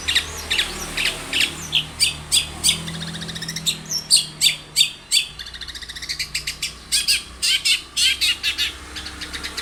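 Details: Long-tailed shrike lure song to get a shrike singing: a long fast series of sharp, scratchy chattering notes, roughly three per second, rising and falling in loudness.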